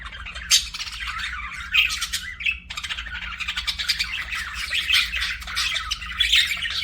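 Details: Budgerigar chirping: rapid twittering warble mixed with harsh squawky notes and a brief whistled tone, running almost continuously with faint room hum.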